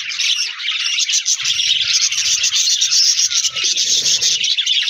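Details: Many budgerigars in an aviary colony warble and chirp together in a bright, dense chorus of rapid overlapping notes, pulsing slightly in volume.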